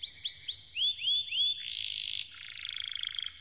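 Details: Canary song intended for training, with a handful of arching slurred whistles repeated about three per second, followed by a harsh buzzy passage and a softer rapid roll.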